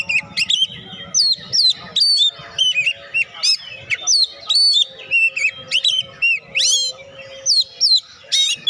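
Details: Lively Oriental magpie-robin song used as a trigger for lazy birds to sing, with dense rapid phrases of bright whistles, upward and downward slurs and scratchy notes, a steady faint low tone underneath.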